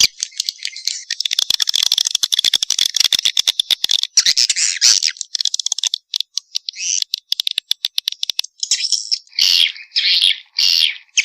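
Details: Swiftlet calling sound used as a lure to attract swiftlets, a mating call: long fast bursts of dry clicks and rattles at first, then high buzzy chirps in short runs toward the end.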